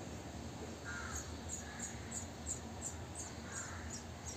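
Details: Three-day-old sparrow chicks in a bird house, their parents' fourth brood there, being fed insects by the adults: a faint, even series of thin, very high peeps about three per second, with a soft lower call twice and steady background hiss.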